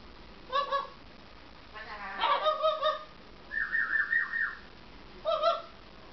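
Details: Blue-and-yellow macaw imitating a dog's bark: short, hoarse, honking bark-like bursts. Single barks come at the start and end, with a longer run of four or five rapid yelps in the middle, set against a low background hiss.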